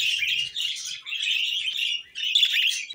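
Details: Loud, buzzy budgerigar warble: continuous high chirping chatter broken by one short pause, with faint low sounds at the start.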